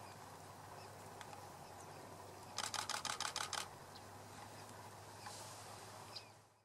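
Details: A Bearded reedling at Lake Gopło, Poland, on 27 December 2017, gives a quick burst of about eight sharp, metallic pinging notes in one second, with a low steady hum and faint notes behind.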